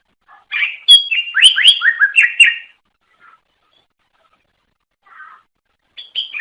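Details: Greater green leafbird singing to attract other leafbirds: a loud two-second run of quick, sharply slurred downward whistles and chirps, a long quiet gap with a few soft notes, then a fresh chattering phrase beginning.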